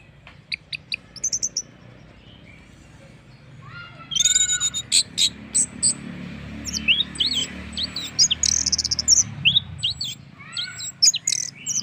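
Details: Orange-headed thrush singing as a lure meant to prompt other birds to join in: a few sparse high chirps, then from about four seconds a steady run of clear, high whistled notes and fast trills over a faint low hum.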